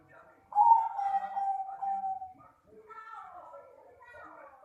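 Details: Bangkok perkutut, a zebra dove, delivering a strong, sustained coo that starts sharply and slides gently lower over about two seconds with a trilled texture, followed by softer wavering notes and background murmuring.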